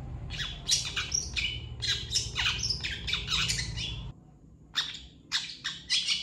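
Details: Long-tailed shrike singing a master song for training other birds: quick sequence of raspy squawks and slurred buzzy notes, a brief quiet gap, then more harsh chattering bursts; a low hum sits beneath the first part.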